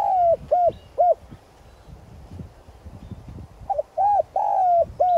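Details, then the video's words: Spotted dove used as a decoy gives its 'giọng son' calling coo to lure wild doves. Phrase endings of soft hollow coos at the start, a quiet stretch with faint low rustling, then a new phrase of hoots and a long slurred coo. "Cu gáy mồi chuẩn Gáy Gọi + thúc giọng son kích bổi nhanh nổi"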